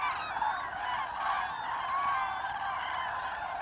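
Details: A dense chorus of common cranes on autumn migration over Hesse, Germany, on 25 October 2021, with up to 10,000 cranes flying the Lahn valley route, trumpeting and bugling continuously from a large flock, with no pause between voices.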